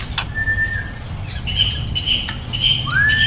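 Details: Young white-rumped shama gives a steady whistled note, then a run of higher, evenly repeated sharp chirps, and closes with a rising slurred whistle, over a rumbling low background.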